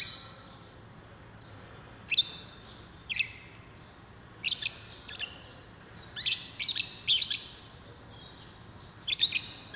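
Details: Lovebird calling as a prompt for another lovebird to sing: scattered shrill, high chirps, single at first, then grouped into busy clusters of sharp notes with brief pauses.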